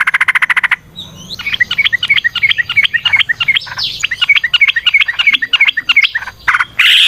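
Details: Yellow-vented bulbul in a long, busy, rapid song offered as a lure to get other bulbuls singing: bubbly chirped notes repeated about three times a second, with harsh pulsed bursts at the start and end.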